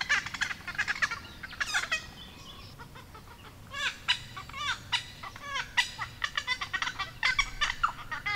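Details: Noisy Friarbirds (Philemon corniculatus monachus), likely a pair, visiting a pond and reed-edged dam in Capertee Valley, NSW, mid September 2019, warm sunny day; loud, harsh, ringing calls in quick overlapping bursts, with other honeyeaters calling around them.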